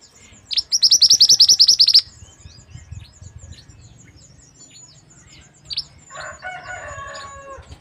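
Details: West Sumatran white-rumped shama in full song: a quick burst of about fifteen sharp high chirps, then soft high whistles and single notes, and near the close a lower harsh, buzzy chatter.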